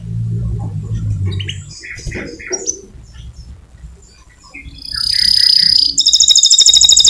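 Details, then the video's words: Lure song from a lively white canary: scattered soft chirps over low rumble, then from the fifth second a loud, dense, high rolling trill with a buzzy edge. "SEMUA Burung PASTI MERESPON DAN COCOK Dengan PANCINGAN KENARI PUTIH GACOR ini! KENARI Gacor Nembak"!"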